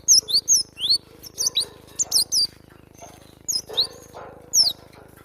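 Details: Cinereous tit (glatik batu) song used to train cage birds: high, clear down-slurred whistles in short clusters, repeated over a faint steady background hum.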